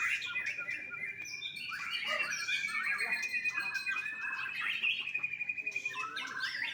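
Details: Young captive white-rumped shama at a bird farm in Bali, pouring out a rich, varied song: long sustained whistles held steady, woven with quick twittering runs and sliding notes that rise and fall without pause.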